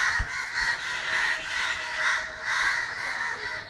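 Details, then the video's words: A crowd of crows in Kerala, 9 December 2012, gives a steady barrage of coarse, nasal caws that blend into one continuous harsh din, rising in strength twice during the short stretch. "Crows making horrible sounds"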